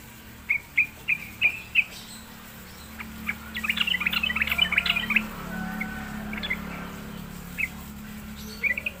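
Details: Sooty-headed bulbul lured into singing: short bright chirps, then a dense burst of rapid jumbled notes mid-clip, then scattered single chirps over a steady low hum.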